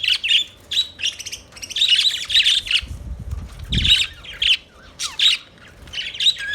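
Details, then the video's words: Chirping budgerigars give short buzzy warbles and scratchy squawks in quick clusters, separated by brief lulls, with a low rustling thump near the middle. "Budgies Chirping Sounds Beautiful Parrot Sounds"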